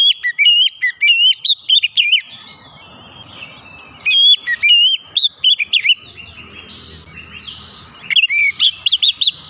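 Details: Oriental magpie-robin singing, played to coax stalled, stressed birds into full song: rapid runs of clear whistles, slurred warbles and high sweeping notes in three lively bursts, with faint low rumble between phrases.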